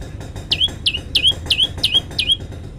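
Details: Six crisp falling-then-rising chirps from an olive-backed tailorbird, evenly spaced about a third of a second apart, with low background noise.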